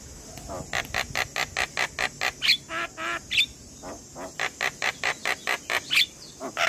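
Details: Morning song of an Asian pied starling, played to set young starlings singing: a long steady train of harsh, buzzy notes, about three per second, with short whistles mixed in and a faint high hum behind.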